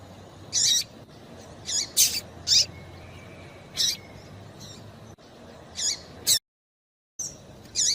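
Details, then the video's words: Female papa-capim seedeater calling to excite males, as used to prepare tournament singers; a series of short, high, squeaky chirps, single and paired, at irregular intervals, with a brief silent gap near the end. "Piado de Fêmea de Papa capim"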